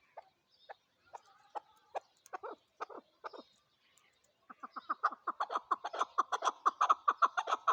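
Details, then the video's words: Chukar partridge giving harsh clucking chuck notes, spaced at first, then building into a fast, loud run of about two notes a second. "chakor voice chakor birds chakor sound"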